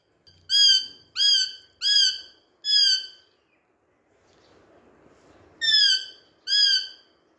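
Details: Green Indian talking parrot, a rose-ringed parakeet, playing with a mirror while speaking Urdu/Hindi: four rapid rasping harmonic syllables, a pause with faint rustling, then two more similar syllables.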